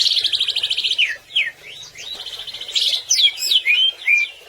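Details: Greater green leafbird singing in gacor style, a recording used to train other birds to sing: a fast trilled burst near the start, then a series of sharp, swooping whistled slurs and bright chirps in a varied, lively sequence.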